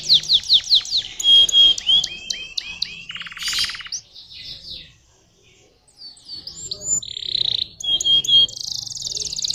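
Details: Singing canary with rapid falling chirps and upslurred whistles, a brief harsh burst, a near-silent pause, then rolling trills and clear whistled notes again.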